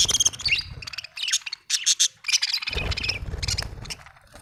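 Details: Budgerigar chirping: a busy stream of warbling, scratchy chatter and squeaky notes, continuous and fast-paced, with a low rumbling background hum through much of it.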